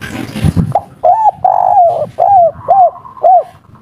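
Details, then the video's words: Spotted dove, local bird, kuk 3 song: a brief bump of noise, then six soft, bowed coos with a longer central note, evenly paced and clear. "Derkuku kuk3 lokal gacor ngamuk bikin ribut full emosi || suara empuk"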